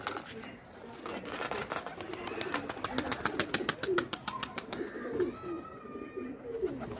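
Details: Indian kagzi pigeons having fun: soft low coos under a rapid series of sharp clicks like wing claps, followed by a brief thin whistle.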